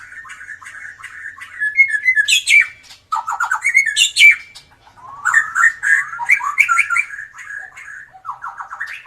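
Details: Persistent song from a white-rumped shama with a drooping tail, used to coax silent birds into song: clear whistled phrases around a mid pitch, sharp high squeaks, and quick stuttering rows of notes.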